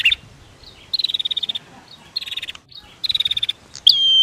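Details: Prinias, female versus male, played to encourage singing: a short chirp, then three fast ticking trills of evenly spaced notes with pauses between, ending in a bright falling whistle.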